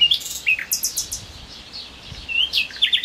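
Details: A Common Nightingale sings at full power by the Jerte river at Plasencia: a rich, varied phrase of sweet whistles, rapid repeated notes and bright, high rattling bursts in quick succession.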